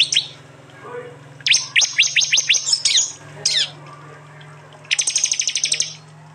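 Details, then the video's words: Prinia 'tembakan' from East Java, phone-recorded: sharp single notes, then a rapid series of slurred high chirps, a pause, and a final buzzy dense trill. "Tembakan prenjak jali keras"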